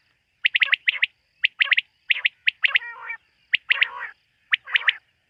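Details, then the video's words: Quail calls at night: clusters of three or four quick sharp chirps, spaced about half a second apart, broken by two harsher grating notes with stacked harmonics. "Bater ki rat wali awaz ۔۔quail sound of night"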